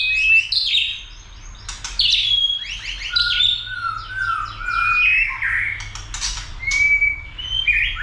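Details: White-rumped shama, a caged bird being stimulated to sing heavily and fight, with tail-flicking: a rich, fast, varied song of clear whistles, slurred notes and rapid trills, phrases shifting constantly in pitch with barely a pause, over a faint low hum.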